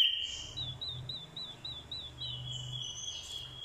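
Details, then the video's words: Orange-headed thrush recording of fighting song, with a female's call used to provoke the male: a steady high wavering trill of quick repeated undulating notes, a faint low hum beneath. "Chim Quế lâm mồi, hót đấu cực hay. kèm tiếng quế lâm mái, kích trống hót đấu hay."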